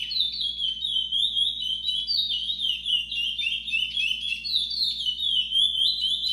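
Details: Trovoada-style song of a chestnut-bellied seed finch: fast, run-on twittering of bright high slurred notes delivered without pause, over a quiet low background hum.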